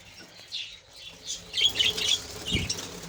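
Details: Budgerigars in a captive colony chatter in soft, scratchy chirps and warbles that build into a busy, high-pitched flock babble, with a brief low thump partway through.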